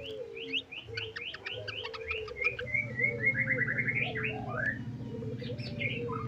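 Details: Trotol-style song of a white-rumped shama loaded with isian: quick high chips, then a long string of rapid repeated whistled notes, about 200 per minute, over a continuous low buzzing tone and quieter background calls.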